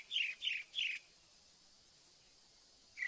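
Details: Northern mockingbird singing: a sharp downslurred note, high to lower, given three times in quick succession, a pause, then the same note starting again at the end.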